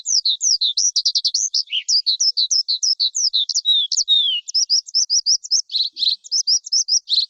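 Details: A lark sings with a high, clear voice. The song is a fast, continuous stream of sharp chirped notes and brief downslurred whistles, with repeated clipped phrases near the end. The background is quiet.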